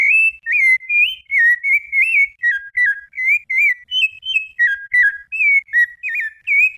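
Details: Brumado fluted song by a Rufous-bellied thrush: a lively chain of slurred, flute-like whistles with frequent pitch jumps, a few notes pitched higher in the middle of the run.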